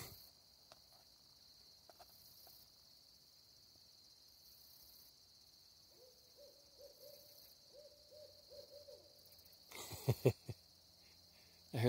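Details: Barred owls in dense forest near Cookeville, Tennessee, active at sunset before dark, give a run of low, rhythmic hoots for about three seconds over a steady high insect drone, then a brief burst of rustling.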